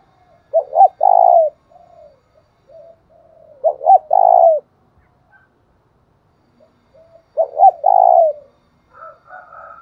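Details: Spotted dove repeating its thúc bổi call, used to stimulate another dove: three phrases about every 3.5 seconds, each a quick double note then a drawn-out quavering coo, with quiet low murmurs and faint higher notes between.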